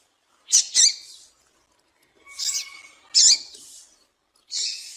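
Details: Female Yellow-bellied Seedeater (Sporophila nigricollis) call, used to stimulate males: short, high, buzzy chips in four uneven bursts over five seconds, with a faint steady tone underneath.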